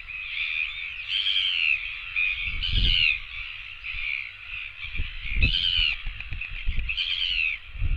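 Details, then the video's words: Several royal albatross chicks gather to beg for food, voicing nasal, harmonic whining calls in repeated rising-and-falling bursts about every two seconds, with gusts of wind thumping the microphone. "other chicks come begging for food"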